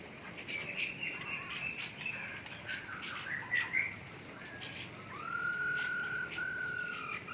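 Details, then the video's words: Masked laughingthrush in an aviary: quick chirps and squeaky notes, then a long, pure, slightly falling whistle that is held steadily to the end. "NYANYIAN BURUNG POKSAY HONGKONG DI DALAM AVIARY"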